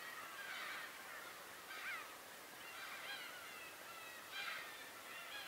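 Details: Tobishima birds giving harsh, harmonic calls in separate bursts about every second or two. Each burst has quick up-and-down inflections over a steady hiss of background noise.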